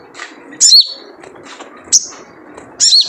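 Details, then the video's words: Sogon, a wild sunbird, giving its characteristic call used to lure other birds into song: three shrill, high chirps with sharp falling tails, separated by softer faint twitters. "Jrejet Cuit Suara Panggilan Khas Sogon Liar untuk pancingan sogon agar gacor"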